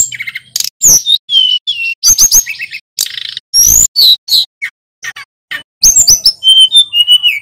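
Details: Male Hill Blue Flycatcher from Pacitan, in full vigorous song, runs through varied imitated phrases. Bright chirps and up-slurred whistles mix with buzzy bursts and short trills, with a gap near the five-second mark.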